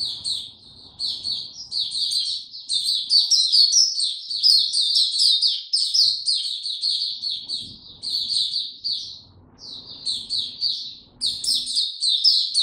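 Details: White-eye, known locally as Mata Puteh, kept in a cage without health supplements, opening its song on 29 April 2022: long, dense runs of sharp, high chirps and trills, nearly continuous, with brief breaks and faint low rumbling behind.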